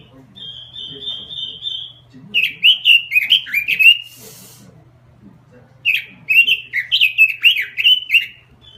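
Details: Robin lure song in full, steady 'gacor' singing: a long level whistle, then bursts of quick warbled, slurred notes, pausing briefly before a second rapid phrase, over a faint low hum.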